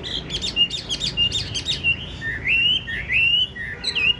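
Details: High, rapid warbling from a tame caged Chinese hwamei with yellow legs and bill, its loud song full of bouncing, slurred whistles and short trills.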